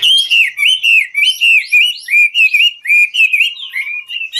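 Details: Chinese hwamei, a top-grade 'ngũ trường' songbird, singing while dancing: rich whistled phrases around two to three kilohertz, slurred up-and-down notes repeated about three times a second, clear and loud with no other sounds.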